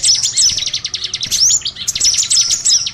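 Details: Small-bird lure sound (burcil): loud, dense high chirping in quick bursts, mixed with thin whistled upslurred notes and a brief rising squeal mid-way.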